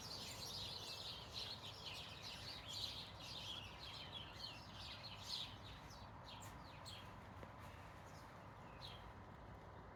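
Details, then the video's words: Several garden birds singing their hearts out after the feeders were refilled, in the hush before an expected thunderstorm; quick overlapping high chirps and twittering trills, about two per second, over a steady low rumble of background noise. "Birds sing their little hearts out after we refilled the bird feeders"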